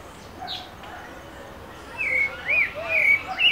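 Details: Pale-breasted thrush singing in Brasilia, Brazil: after a quiet start, short fluty whistled phrases with rising and falling slurs come in quick succession over steady background hiss.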